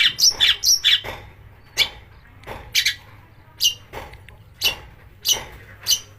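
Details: Long-tailed shrike, a recording meant to provoke shrikes into singing: a quick cluster of squeaky chirps, then harsh rasping notes spaced about a second apart over low hum.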